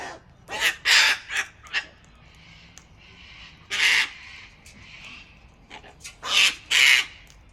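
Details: A crackle of sulphur-crested cockatoos outside a home in Australia makes loud noises: harsh, raucous screeches in bursts, some doubled, separated by quieter gaps with softer squawks.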